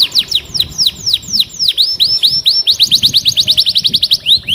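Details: Canary song with repeated downward-sweeping whistled notes, a few longer slurred phrases, then a quickening run of short rapid notes, clear and loud.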